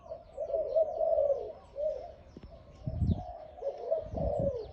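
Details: Loud-voiced Malay-type dove, a caged bird offered for sale, giving rolling, bubbling coos in phrases with brief pauses. Faint chirps from other small birds sit above, and low thumping knocks come near the end.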